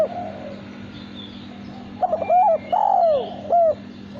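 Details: Male spotted dove, a caged contest bird, starting with soft lead-in notes, then a full coo of short note, long falling note and crisp closing note after a quiet opening.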